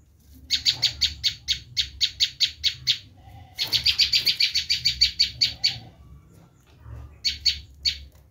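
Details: Harsh screaming call of a bar-winged prinia, used for luring wild prinias: three long chattering runs of quick rasping notes, the middle one densest, with a short break before a final few notes.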